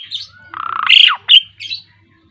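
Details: Asian pied starling, more than ten years old, singing energetically in 'gacor mompa' fashion: a harsh, grating squawk that swells and breaks, followed by a sharp rising whistle and a softer chattering note, with a faint low hum behind.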